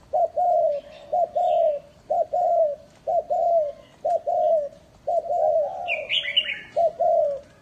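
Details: Spotted dove kept as a lure bird at a farm in Ba Vi, Hanoi, Vietnam, delivering steady, rhythmic coo phrases about once a second, with a brief higher chirping bird in the background.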